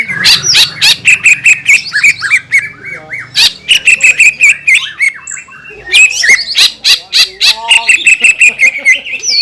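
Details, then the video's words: Provoking 'gacor' song of a green leafbird: loud clicky chattering and whistles in rapid pulses, a brief lull near six seconds, then a renewed bright, fast twitter to the end. "PANCINGAN CUCAK IJO GACOR,SUARA NYA BIKIN BURUNG CUCAK IJO LAIN LANGSUNG EMOSI"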